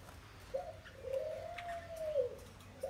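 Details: One long, smooth, low coo rising slightly then falling away, preceded by a brief clipped note, from a wild-caught spotted dove held twelve days in a cage. The background is quiet.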